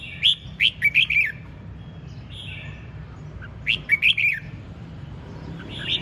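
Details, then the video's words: Ché chẻ style song from a red-whiskered bulbul, delivered with gusto: two matching bursts of four or five quick, bubbly whistled notes about three seconds apart, separated by a soft drawn note and low hum. "5 Phút Chiến Binh Hót Cực Sung ( Ché Chẻ Cực Đỉnh)"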